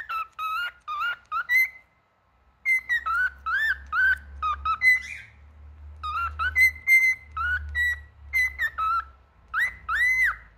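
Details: Male cockatiel whistling its song: quick chirped notes mixed with rising and falling slurred whistles in bursts. A steady low hum runs underneath through most of the passage.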